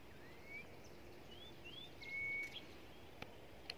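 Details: Huýt cô song of a common iora, Long Thành, Đồng Nai, Vietnam. Several slurred, rising whistles lead to a drawn-out steady whistle near the middle, with soft clicks and ambient noise behind.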